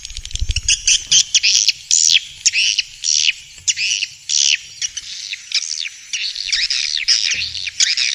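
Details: A swiftlet lure recording from Vietnam for bird houses: spaced bursts of buzzy chirps grow into a denser twittering stretch, with a low thump near the start.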